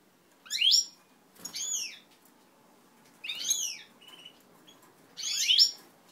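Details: European goldfinches of an ancestral native line being paired, 20 March 2012: four spaced bursts of rising, twittering slurred notes, with a brief whistled note between them.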